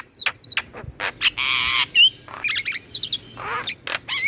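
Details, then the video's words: Black-winged myna song for prompting captive birds: an uneven jumble of harsh rasping buzzes, clicks and short twisting whistles, loud and varied. "Pancingan dan MAsteran Burung Jalak Kebo dan jalak lainnya Langsung Rajin Ngoceh"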